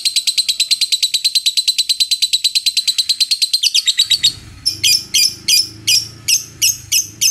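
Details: Lovebird rattling out a long ngekek of rapid shrill notes, then breaking into slower, separate sharp chirps over a low hum in the last seconds.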